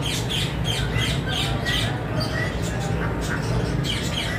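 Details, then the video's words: Rose-ringed parakeet (green parrot) giving harsh, screechy squawks in quick succession, several each second, over a steady low rumble. "Parrot natural sounds | Mithu ki Awaaz | Tote ki Awaaz"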